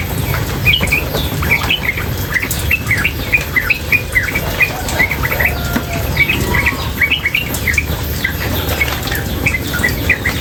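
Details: Female sooty-headed bulbul singing nonstop beside running water: quick bright chirps repeated in steady rapid series throughout, over a continuous background rush of water.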